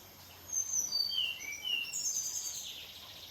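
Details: Red siskin kept by an Indonesian bird keeper, set out for sunbathing, sings a falling series of thin, high whistled notes, then a brighter, buzzy twittering phrase that trails off over a soft background hiss.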